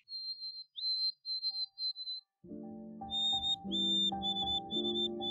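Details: A White-throated Sparrow sings its song of pure, high whistles, a long opening note then a slightly higher series of short repeated notes; soft instrumental music comes in partway through.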